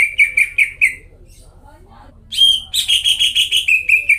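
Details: Greater green leafbird singing vigorously as a lure for mute leafbirds. Several quick falling whistles, a second of quiet with faint murmurs, then a sharp high note and a dense, rapid burst of repeated whistles, with a low electrical hum.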